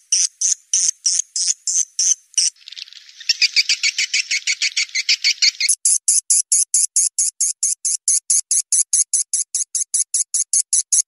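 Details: Blended swiftlet lure call for attracting swiftlets: spaced buzzy chirps, then a dense rapid chattering section, then a long steady train of high clicking chirps.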